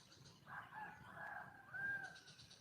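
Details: Female red junglefowl in the wild, calling to attract a male. Hoarse, harmonic calling notes, with a brief rising-then-falling whistled note near the end. Faint background noise throughout.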